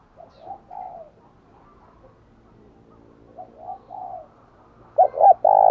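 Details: Spotted dove calls used as a decoy for doves: faint, distant-sounding coo phrases at first, then a louder close phrase starting at the end and cut off.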